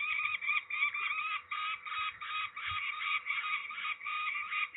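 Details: During ringing at Trzebież, Poland, 13 May 2019, peregrine falcons give a continuous scolding series of harsh, slightly rising notes in quick succession, fairly clean with only faint background knocks.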